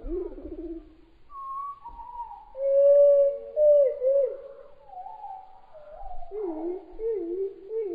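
Spotted palm thrush song, slowed down: a run of low, pure whistled phrases, some held and some wavering or sliding, in a varied rambling sequence.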